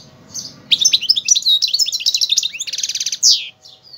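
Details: Algerian goldfinch singing, a quiet start giving way to a fast jumble of high twittering notes, then a buzzy rapid trill and one clear closing note.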